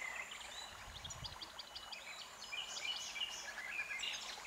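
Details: Red-backed shrike (Lanius collurio), call.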